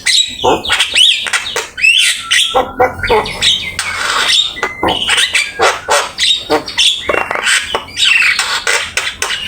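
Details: Javan myna in vigorous, varied master song for training other birds: rapid sequence of harsh squawks, chattering bursts and short whistled notes, almost continuous with brief gaps.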